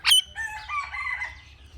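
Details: Indian ringneck parrot calling naturally. A short, harsh, shrill note opens the call, then softer wavering, whistled tones slide up and down for over a second. Only a faint low hum is heard behind it.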